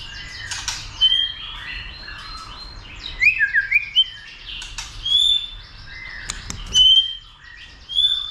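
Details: White-rumped shama being stirred up to sing much and to fight: scattered whistled phrases, sliding notes and sharp chips with quiet gaps between bursts.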